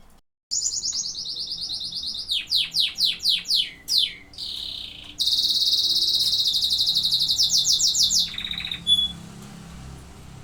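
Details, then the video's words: Singing canary: a high buzzy trill, a run of about seven loud descending slurred notes, a short low buzz, then a long fast rolling trill ending in a brief whistle. "Singing canaries."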